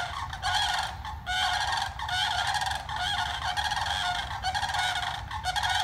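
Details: Four sandhill cranes standing on a spit of land across from a house in the morning, giving loud, rolling, trumpeting calls that overlap almost continuously, with harsh rattles from several birds over a low rumble.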